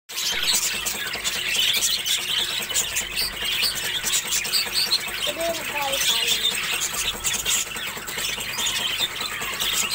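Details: A flock of pet budgerigars kept at home chatters nonstop with bright chirps, squeaks and warbling twitters.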